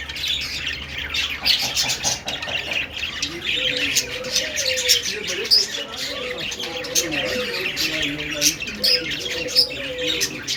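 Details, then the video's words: Budgerigars singing: a dense, continuous warbling chatter of buzzy chirps and squeaks, with many rapid clicks and short notes layered together, as from several birds at once, plus a low wavering tone underneath. "Budgie sounds Budgie singing"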